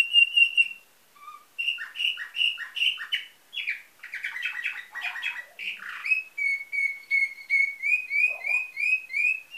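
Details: Song of a nightingale-type canary bred in Varna, Bulgaria, 2013: loud clear whistles, a dense jumble of quick descending notes, then an even series of bright chirps repeated in steady rhythm.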